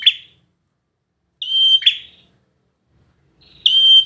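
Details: Bar-winged prinia of performance quality sounding sustained, piercing high whistles, one clipped short and two held for nearly half a second, separated by a brief sharp chirp and quiet gaps.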